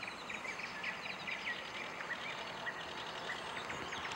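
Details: Spotted crake (Porzana porzana) calling at Pusulanjärvi lake, Finland, from the bird tower on 19 May 2014. It gives short, sharp whistled 'whitt' notes about every half second amid blue tit, nightingale, whitethroat, willow warbler and sedge warbler.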